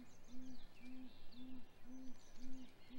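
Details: Great grey owls at a nest during hatch week, male delivering prey to the female, recorded on a live nest cam at 7:26 am on 27 April 2020: low soft hoots repeated about every half second, with faint songbirds chirping in the background.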